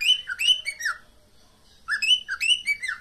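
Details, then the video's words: Cockatiel mating call from a pet bird: two matching whistled phrases of rising and falling notes with a bright overtone-rich tone, separated by about a second of quiet. "Cocktail birds meeting call sound."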